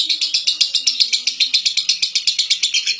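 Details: Lovebird from Central Java celebrated at local and national competitions, giving a brisk run of loud, piercing chirps, evenly spaced and rapid, over quiet background murmur.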